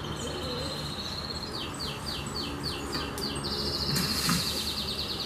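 A Green-winged saltator sings a run of about five quick, downslurred whistles, then a fast high trill, over a steady low rumble of background noise.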